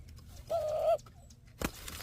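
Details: A dove in the Sonoran Desert at Ajo, Arizona, at a bird feeder, gives one smooth, level coo, held steady for under half a second, followed by a single sharp click.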